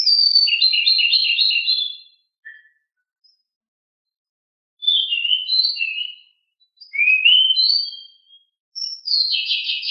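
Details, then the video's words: Pied bushchat (decu) delivering its rolling 'ngeroll' song, described as very agile and very noisy. High whistled, warbling phrases come in four bursts, separated by short silences, with no other sounds. "Sangat Ngeroll!!! DECU sangat gesit suara sangat berisik"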